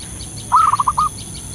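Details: Zebra dove, a local bird calling freely in the wild, as a lure sound: a single brief burst, a drawn-out opening note then four rapid, evenly pitched coo notes, with faint distant chirping around it.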